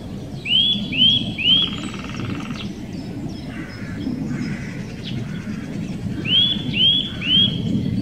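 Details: Nuthatch in the Wittlicher Senke repeating loud, ringing, upward-sweeping whistles in threes, one group at the start and another near the end, over a low rumbling background with soft chirps from other birds.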